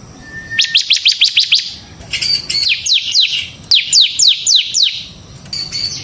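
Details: Ciblek semi bar-winged prinia singing as a training lure: a thin steady whistle opens, followed by quick high trills and groups of falling notes in uneven bursts.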